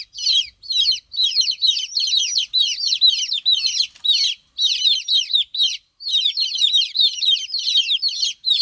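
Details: A brood of chicks separated from the hen keeps up shrill, descending cheeps, several birds overlapping, in bursts about twice a second with brief breaks near four and six seconds.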